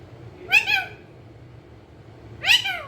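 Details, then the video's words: Green ringneck parrot, a pet rose-ringed parakeet described as talking, gives two harsh, two-part, downward-bending cries about two seconds apart. "Parrot sound talking | Parrot bolne wala totha cute"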